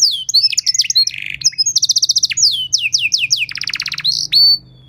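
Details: Canary training song meant to teach other canaries: fast varied phrases of sweet descending whistles, rapid buzzy trills and harsh chattered bursts, changing pattern every half second or so.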